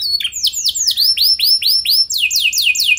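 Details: Lure song of a canary, played to prompt other canaries to respond; a quick series of loud, downslurred whistled notes about five per second, then a faster, higher roll of similar notes.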